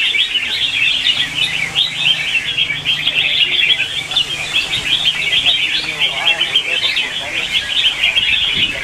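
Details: Morning competitive singing of red-whiskered bulbuls, meant as lure song to spur caged birds to sing. Many birds chirp and warble over one another in an unbroken, busy chorus, with faint low hum beneath.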